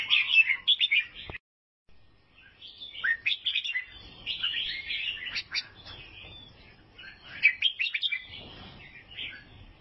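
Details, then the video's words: Vietnamese albino sooty-headed bulbul chirping: a loud twittering burst, a short dead silence, then quieter, then stronger phrases of quick slurred notes. "KICAUAN BURUNG KUTILANG ALBINO"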